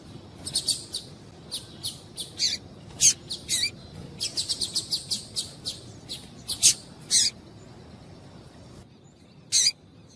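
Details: A female double-collared seedeater gives call notes used to stimulate males to sing. Dense, irregular series of short, high, sharp chirps, some doubled, fairly steady for seven seconds, a pause, then a final louder chip.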